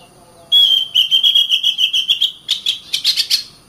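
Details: Oriental magpie-robin (kacer) holding a long steady whistled note overlaid with rapid rhythmic clicks, then a short burst of higher chattering notes.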